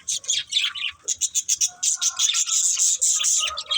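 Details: Breeding pair of budgerigars: a string of quick, evenly spaced high chirps that flows into a continuous scratchy warble for the final two seconds.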